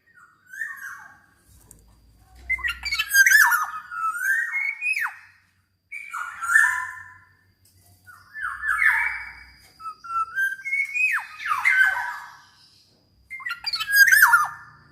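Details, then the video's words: A black-naped oriole sings actively, recorded as a tutor and lure so other orioles join in. Repeated bursts of harsh, squawky, nasal notes come every few seconds, separated by brief silences, over faint low background rumble. "SUARA BURUNG KEPODANG COCOK BUAT MASTERAN DAN PANCINGAN KEPODANG AGAR BUNYI"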